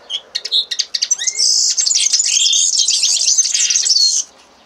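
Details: Common linnet singing: several short sharp chirps and a rising whistled slur lead into a dense, high, fast twittering phrase of trills and buzzes that stops abruptly near the end.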